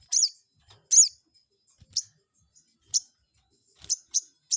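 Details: Crested jay call used to provoke a rival: short high notes in uneven spacing, two louder ones first, then shorter quicker chips toward the end.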